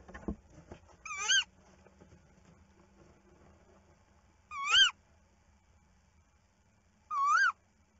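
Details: Tawny owl at night near a webcam nest box, female out while the male guards the eggs; three sharp, wavering, harmonic-rich calls spaced several seconds apart over low background hum.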